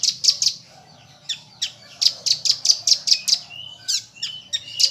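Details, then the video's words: Training song of a common iora filled with rambatan phrases at full tembakan: three quick shrill notes, a pause, then a rapid series of evenly spaced piercing chips mixed with short whistles and buzzy slurs. "Konin Isian Rambatan Full Tembakan"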